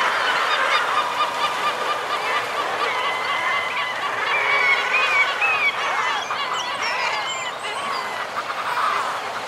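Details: A breeding-ledge colony of common guillemots, with fulmar and kittiwakes also present. Rough, braying calls overlap without pause, mixed with sliding higher cries and faint whistles, forming a steady seabird din.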